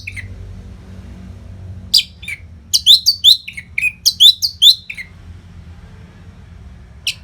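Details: Orange-headed thrush singing without pause as a training song for contest birds: a quick series of rich whistled and slurred notes between two and five seconds, bracketed by quieter single notes.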